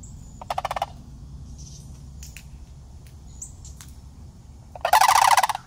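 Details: Two juvenile sandhill cranes, year-round city residents used to people, come up to greet a person, filmed on an iPhone. A short rattling burst comes early, a few soft notes follow, then a louder pulsed rattle ends the clip.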